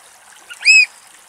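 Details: Eurasian oystercatcher (Haematopus ostralegus), mud-billed, in vegetation at Axios Delta National Park, Thessaloniki, Greece, gives an alarm call: one loud, shrill, slightly arched 'kleep' after a faint short note, over a soft watery background hiss.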